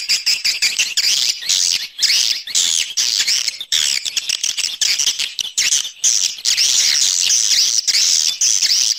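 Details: External swiftlet sound of shrill, buzzy twittering with high whistled squeals, the chattering rising and falling in short bursts throughout.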